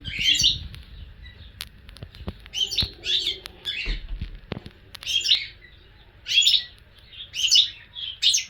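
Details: European goldfinch song: irregular bursts of bright, twittering high notes separated by short pauses, mixed with sharp clicks and taps in the background.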